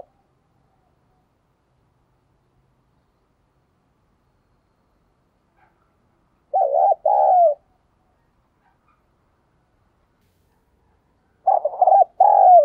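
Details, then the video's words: Spotted dove giving rapid cooing and calling coos, used as playback to lure wild doves: two spaced coo phrases, each of quick stuttering notes and a longer drawn note, separated by long silence. "tiếng cu gáy thúc gù và gáy gọi dùng kích bổi"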